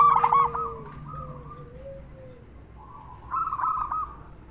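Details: Local zebra dove with a big voice, kept as a singing lure for other zebra doves: a loud rippling trill opens, fades into softer rolling coos, and returns mid-clip, with a faint wavering whistled tone and low hum behind.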